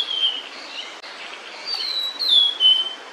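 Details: Female blue-and-white flycatcher with food in her bill, singing near the nest; a few drawn-out whistled notes, one gliding downward, fairly faint against background hiss.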